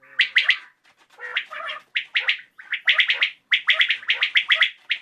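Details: Common quail calling in an evening recording, in quick three-note bursts of sharp liquid 'wet-my-lips' phrases repeated a few seconds apart, with faint background chatter.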